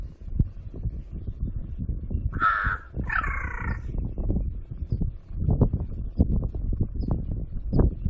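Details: Crow giving two harsh, loud caws in quick succession, the first flatter and the second slightly rising and buzzy, over a steady low rumble of traffic or wind noise.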